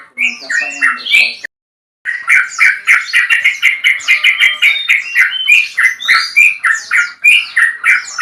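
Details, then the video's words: Male yellow-vented bulbul calling a rival with a long phrase: bright, chattering notes repeated rapidly in bubbly runs, a brief pause near the start, then a dense steady stream of warbling syllables. "PANCINGAN BURUNG TRUCUKAN JANTAN ROPEL PANJANG MEMANGGIL LAWAN"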